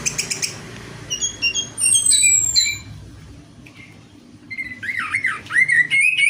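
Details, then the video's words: Orange-headed thrush, recorded to lure another bird into song: a quick series of high notes and whistled slurs, a quiet gap, then a looping, warbled phrase that rises toward the end. "DENGAN PANCINGAN ANIS MERAH AMPUH INI, ATASI SUSAH BUNYI ANIS MERAH"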